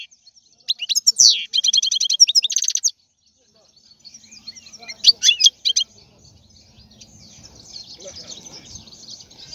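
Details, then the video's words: European goldfinch singing in two bursts of rapid, high, tinkling twitters and buzzy trills. A short pause separates them. The clip ends with softer, scattered chattering over a faint background hum. "لا يمكنك ان تسمع اقوى من غناء هذا الحسون"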